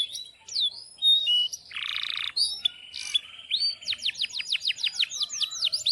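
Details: Domestic canary singing energetically in breeding condition, in the long-rolling style used as a lure and tutor for other canaries. A varied phrase of high whistles and a harsh buzzy burst leads into a rapid series of sharp descending notes.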